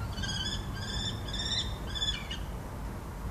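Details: A Common Kestrel at a pipe window of a meteorological station, eating a mouse and defending it from a second kestrel (maybe its partner), gives harsh, ringing calls in a quick series of about four notes over two seconds, over low wind rumble.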